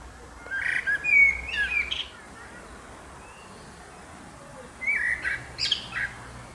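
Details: Common blackbird singing: two fluted, warbling phrases with higher twittering flourishes, separated by roughly three seconds of quiet. Soft background hiss.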